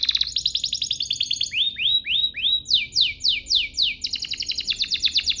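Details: Canary singing to stir other canaries into song: fast high trill, a series of rising swooped whistles, then repeated descending slurred notes and another quick trill, all bright and continuous.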